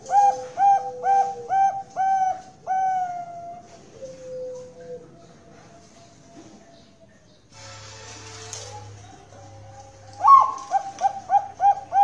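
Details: Zebra dove of the Bangkok type (perkutut bangkok) at a Central Java bird farm in Kroya, Cilacap, Indonesia: several rounded coos, soft trailing notes, a burst of rustling noise, then another quick run of coos.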